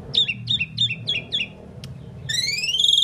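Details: Talking Indian pied myna that is said to say words such as "mynah"; five quick high clipped double notes in a row, then a long bright harmonic whistle gliding upward, with a low hum underneath.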